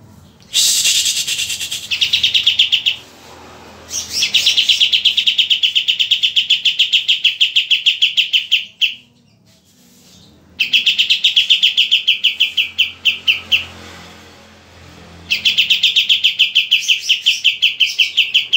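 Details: A young ("bakalan") white-eye, described as already singing, gives long runs of rapid, high twittering notes in repeated bursts.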